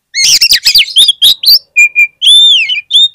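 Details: Song of an oriental magpie-robin, meant to lure other magpie-robins into singing: a rapid, loud string of chirps and twisting whistles, then clear level whistled notes and a long rich downslurred whistle.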